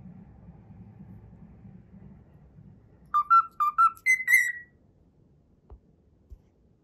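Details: After several seconds of low rumbling, a cockatiel whistles a short phrase of its learned Pythagora Switch tune: three paired whistles and a longer higher slurred note, followed by two faint taps.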